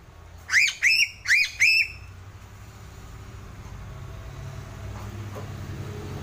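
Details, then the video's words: Sulawesi crow (gagak sule) giving four quick rising whistled notes in two pairs, then silence of the bird with only steady low background rumble continuing. "Suara burung gagak sulawesi"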